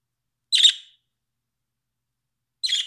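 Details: Pet budgerigar uttering two short, rasping squawks about two seconds apart, each a dense burst of scratchy high notes, with silence between them.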